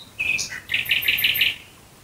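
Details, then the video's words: Nightingale singing at night near Dresden: a drawn-out whistle and a short falling note, then a quick run of five bright, buzzy notes repeated evenly, with quiet background. "Nachtigall Gesang Geräusch. Singing Nightingale Sound."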